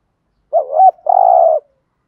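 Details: Lure spotted dove cooing to draw wild doves: one clean phrase, a quick wavering two-note coo followed by a half-second, low, buzzy, rolling purr, with silence around it.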